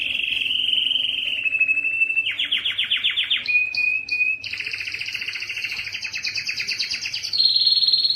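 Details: Distinctive canary song for tutoring young birds: smooth held whistle, fast pulsed rattle, brief clipped notes, then a long buzzy two-layered trill ending on a clear high tone.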